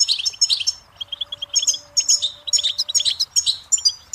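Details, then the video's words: A goldfinch sings a fast, jumbled stream of bright twittering and tinkling notes, with brief pauses between bursts. "Birdsong Motivation Let Goldfinches Inspire Your Success"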